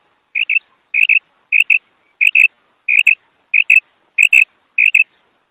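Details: Evenly spaced double-noted kark calls of a female quail, eight pairs in about five seconds, each pair a quick high twin note, with clean silence between.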